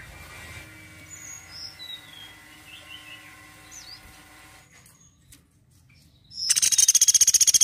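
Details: Woodpecker calling in a songbird training recording: a loud, rapid, high dry trill of evenly spaced notes bursts in near the end, after thin whistled calls from other birds over a steady low hum.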